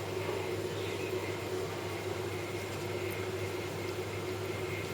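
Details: A constant electrical hum and a hiss of background noise fill the recording, with no calls.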